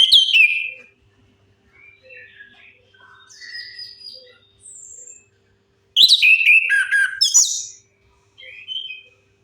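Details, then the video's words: Lure recording of an orange-headed thrush, played to coax non-singing birds into song. A bright whistled opening, then a quiet stretch of soft high warbles, then a loud, busy phrase of mixed whistles and rattles. "Suara pancingan AMPUH 100% untuk Anis Kembang Macet Bunyi"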